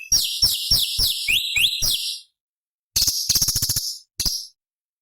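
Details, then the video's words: Sooty-headed bulbul, locally cucak cungkok, in original forest sound used as songbird training material. A two-second burst of fast, high, sliding chirps is followed by silence, then a tight volley of sharp ticking notes. "Masteran Cucak Cungkok Istimewa ~ Suara Asli Hutan Materi Variasi Oktaf tinggi"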